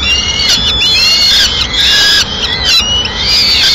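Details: Female peregrine falcon arriving with pigeon remains at a mid-morning nest feeding in Madrid; overlapping high, smeared wailing cries run almost continuously, rising and falling slightly.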